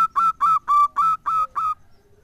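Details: Zebra dove lure song, played to make rival and companion doves answer: six short, bright, evenly pitched coo notes, about three per second, each with a harsh, buzzy edge, followed by brief quiet.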